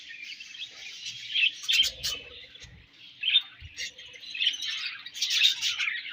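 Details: Budgerigars exchanging food while feeding, a lively stream of high chattering warbles and scratchy squawks in repeated bursts, with soft clicks and rustles.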